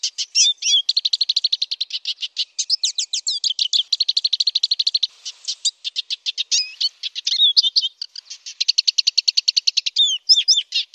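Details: Black siskin singing loudly in long rolling phrases for songbird tutoring: extended trills of rapid, evenly spaced high chirps alternate with bursts of swooping twisted notes over nearly eleven seconds, without pause for long.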